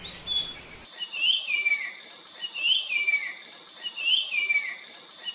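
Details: Puff-throated babbler from peninsular India: clear whistled phrases, each sliding from high to lower pitch, repeated three times about every 1.4 seconds against a quiet background.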